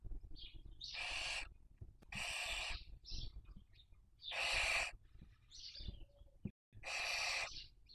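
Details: Barn owl filmed by a nest webcam in Cabañeros National Park, Spain, during the 2023 breeding season while raising young: loud rasping hiss-screeches, each about half a second, repeated every second or so, with thin high squeaks in the gaps.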